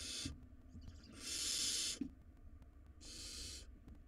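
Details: Wild barn owl young in their nest box, pulling at a very large rodent. A short hiss, then a long, loud rasping screech, then another hiss, with small taps and scrapes in between.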